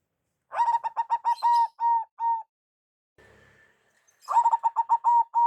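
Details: Local zebra dove giving a loud, deep lure call: a fast run of short, clipped coos that slows into longer held notes, a pause with faint rustling, then another quick burst of stuttering coos ending in drawn-out notes.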